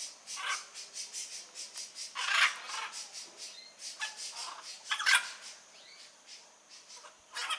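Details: Blue-and-yellow macaw in the wild: loud, raucous squawks rising above a rapid, rhythmic train of shorter rasping pulses that continues throughout.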